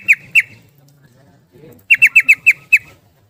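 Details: Yellow-vented bulbul in rapid 'ropel' style, a song meant to lure silent birds to sing: two bright whistled notes, a pause, then a quick string of six sharp repeated notes.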